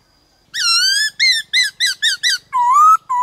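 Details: Varied song of a white-cheeked laughingthrush, meant to excite wild-caught birds and teach young ones a wild voice: one long whistle, a quick run of six short ringing notes, then slow rising whistles.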